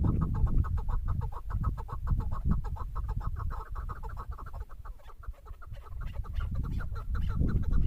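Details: Female chukar partridge in a bird-hunting recording, calling in a brisk, fairly even series of clucking notes, roughly three per second, louder at start and end, with low background rumble.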